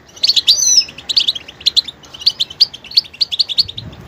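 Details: A goldfinch switching between different sounds, delivering a quick run of bright chirps and tinkling twitters, opening with a short slurred whistle, then evenly spaced high notes.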